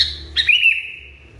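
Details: Brief call from an agitated sooty-headed bulbul: a sudden harsh onset that flows into a long, level, whistled-sounding note, which tapers away.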